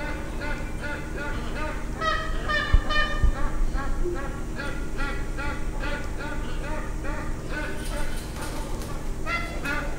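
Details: Flock of magpie geese in Darwin, drawn in thousands to lush irrigated grounds late in the dry season; dense chorus of stacked nasal honks, rapid and irregular, about four per second, over steady low background rumble.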